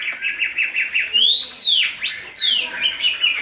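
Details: Tame captive Chinese hwamei with a big body, in fighting display, gives a few short chirps and then two loud sweeping whistles, each rising high and sliding back down.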